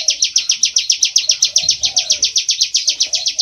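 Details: Bar-winged prinia from rice fields, used as a trapping lure: a rapid series of high, buzzy, slightly descending notes, about four a second and steady throughout.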